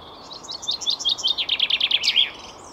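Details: A Common Chaffinch delivers a loud, accelerating trill of sharp notes that tumbles down in pitch and closes with an emphatic flourish, heard clearly against faint background noise.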